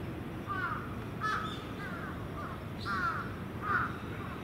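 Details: Crows assembling for the night at Venus Terrace in the evening, giving about five harsh, nasal caws at uneven intervals against a background of steady wind.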